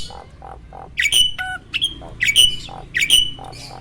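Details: Male Asian pied starling, adult and ready to mate, kept caged, repeating loud, squawking whistled notes about every half second to second, over soft low hooting sounds in the background.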